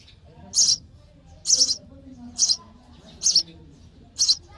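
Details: Baby sparrows in the nest begging during feeding: five loud, high, clipped chirps spaced nearly a second apart, clear over a quiet background.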